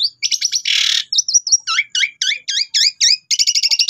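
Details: Asian pied starling song used as a lure recording for kept birds: a noisy rasping burst, then a run of repeated upslurred whistles and rapid chattering notes, all high-pitched and loud.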